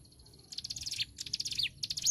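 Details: Hill prinia in energetic song for tutoring songbirds: dense rapid chattering notes in quick bursts, broken by short sharp whistles that bend downward, delivered hurriedly over faint low hum.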